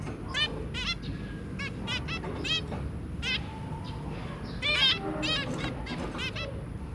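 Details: Family of zebra finches, two adults and three babies, recorded 23 January 2022: frequent nasal trumpet-like beeps throughout, sometimes in quick runs, with a thin whistled tone and steady background hum.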